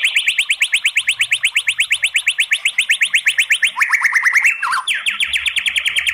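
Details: White-rumped shama kretekan song with 'tembakan' material, used to provoke singing; a long machine-like run of rapid repeated notes, briefly shifting lower in pitch, then resuming at the higher pitch.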